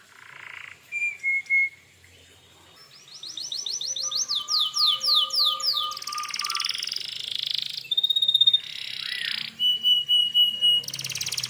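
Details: Energetic gacor canary song meant to provoke other canaries into replying. Short chirps lead into buzzy descending swoops over a low steady note, followed by harsh buzzy bursts and thin, level whistled tones.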